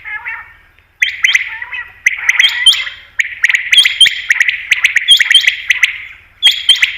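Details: Hunting call of the common quail (batair): dense runs of rough, echoing notes broken by thin steady tones and crisp ticks, coming in bursts about every second.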